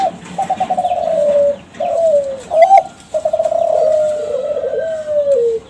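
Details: Young Kelantan zebra dove from a contest-winning line, giving a lure song to draw replies from other doves: rapid stuttered notes running into long, gently falling coos, with a sharp break midway and soft background clicks.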